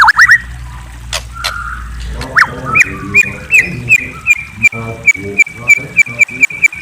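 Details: Murai, the white-rumped shama, chirping at night: after a low buzzing hum fades, short bright notes repeat evenly about three times a second, each with a dull knocking undertone.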